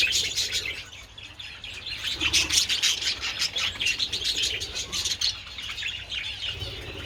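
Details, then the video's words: Budgies out in the sun with treats on 27 February chatter together: dense, rapid, high-pitched twittering and warbled chirps run throughout, rising and falling in loudness over a soft low background hum. "Adorable budgies enjoying treats in the sun"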